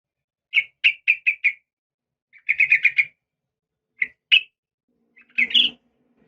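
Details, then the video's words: A female yellow-vented bulbul calls to a male. Short runs of quick chirping notes are followed by a few single chirps and a final rougher, fuller burst. "suara trucukan betina memanggil jantan"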